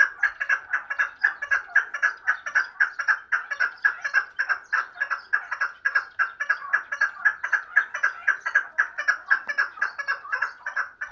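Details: Chukar partridge kept for hunting, calling steadily: loud, harsh chuk-chuk notes repeated about twice a second in an even, unbroken rhythm throughout.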